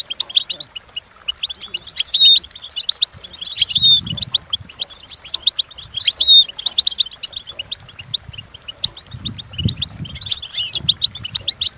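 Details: Goldfinch song meant for training birds, long run of fast high twitters with repeated dense trilled phrases and sweet whistled notes, faint low rumbling in the background.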